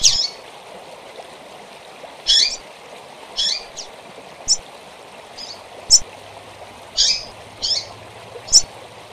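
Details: Rusty-collared seedeater song used to train young birds: short bright high chirps and twittering notes spaced irregularly every second or so, over a steady hiss of flowing water.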